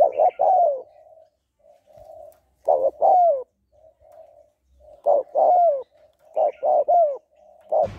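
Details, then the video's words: Female spotted dove calling to rouse males, giving four hoarse multi-note coo phrases at irregular intervals, linked by quiet, muffled cooing in between. "Tiếng Cu Gáy Giọng Hạp BổI ĐỦ BÀI [ GÁY GỌI,THÚC,GÙ ]"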